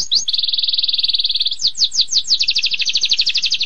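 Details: Singing canary, 'tembakan pedas' style: an even mechanical trill, then a series of sharp descending sweeps running into fast, slightly rising trilled notes.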